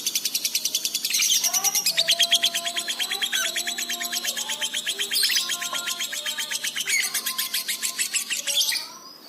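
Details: Fast-responding lovebird singing in full voice for pet-bird training: a long, unbroken, rapid rattle of high, chattering notes, with soft lower whistles beneath and a quick fade at the end.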